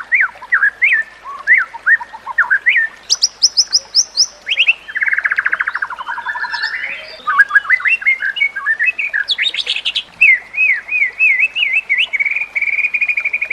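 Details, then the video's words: White-rumped shama song intended to train other shamas: varied whistled notes, a high thin buzzy phrase, rapid rattling trills and a long wavering warble, each section changing style abruptly. "Masteran Murai Batu: Teknik Terbaru untuk Meningkatkan Gaya Berkicau"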